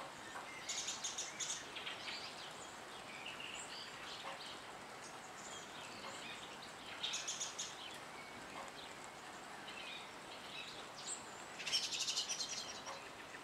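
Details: European goldfinch eating black sunflower seeds at an automatic feeder gives bright, tinkling twitters in three short bursts with scattered high chirps between, over a soft outdoor hiss.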